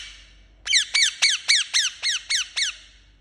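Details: Chirping from a pet Indian ringneck parakeet: eight loud, raspy notes, each sliding downward, repeated at a steady quick rhythm.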